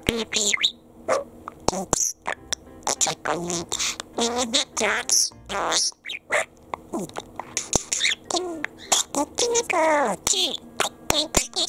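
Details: Pet male budgerigar in Japan chattering at length, a fast jumble of scratchy, speech-like syllables and clicks with sliding warbled notes, all in one long stream.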